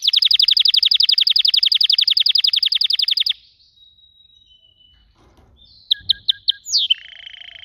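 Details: Canary song opening with a long fast rolling trill lasting over three seconds, then a thin whistle, a few sharp clicks and a sliding note into a soft buzzy tone.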